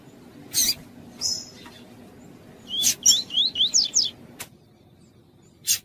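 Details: Tui-tui style song of a double-collared seedeater, used to warm up captive birds: a fast burst of about six rising, slurred whistles in mid-clip, framed by sharp clicks and a brief buzzy note.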